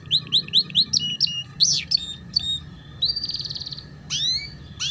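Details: Canary tutor recording for young canaries learning ngeriwik: a string of evenly spaced rising chirps, then varied whistles, a rattling buzzy trill and a closing swooping note.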